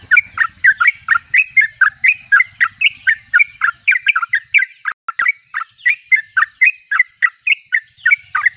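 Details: Sooty-headed bulbul singing vigorously: a steady run of about twenty-six bubbly, warbled two-part notes, roughly three per second, with a brief dip near five seconds; quiet background.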